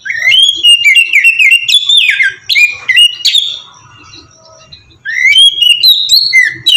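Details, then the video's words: Oriental magpie-robin giving ngeplong-style song as a lure for other birds: two loud bouts of varied whistles and quick chirps with a quiet gap between. The final phrase ends in a bright upward slur. "suara burung kacer ngeplong merdu sangat ampuh buat pancingan kacer bahan bikin cepat gacor"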